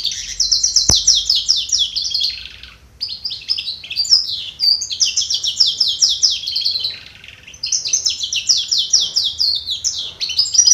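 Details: A canary trained to sing goldfinch-style gives a long, fast, twittering song of rapid trills and tinkling notes, pausing briefly twice before resuming.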